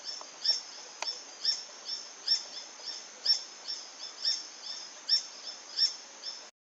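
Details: High, thin squeaks from a Green hermit (Phaethornis guy), repeated at an uneven, unhurried pace against a faint hissy background, ending abruptly in silence.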